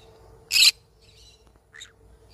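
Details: Yellow-sided conure, a parrot, giving one loud harsh broadband squawk lasting about a fifth of a second, followed after a pause by a softer, shorter note; a steady low hum underneath.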